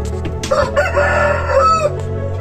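A rooster gives one long, strained crow lasting over a second, rising at the start and dropping away at the end, over a low steady hum.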